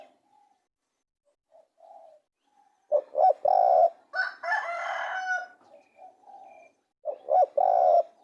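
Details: Spotted dove cooing: soft low coos, then a loud phrase of two short notes and a long held coo, a rougher drawn-out stretch, and another loud phrase near the end.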